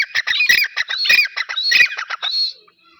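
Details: A pair of grey francolins (dakhni teetar) gives harsh repeated squawking notes with whistled inflections, ending in one drawn-out note before quiet.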